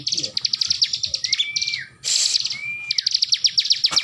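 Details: A Bar-winged prinia (ciblek) keeps singing while held in its owner's hand, giving fast, dry repeated chips at about eight per second, broken by thin upslurred whistles; a brief burst of noise interrupts midway.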